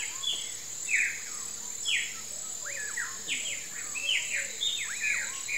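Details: Common Pauraque at sunset into dusk gives buzzy, high slurred whistles that sweep down, about one a second and overlapping, over a steady high insect drone and softer twittering, possibly near running water in a buriti palm swamp.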